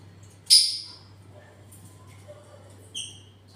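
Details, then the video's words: A single loud, harsh parrot squawk, then a few seconds later a shorter, thinner squeak with faint tonal bands, over a quiet low hum. "Parrots original sound"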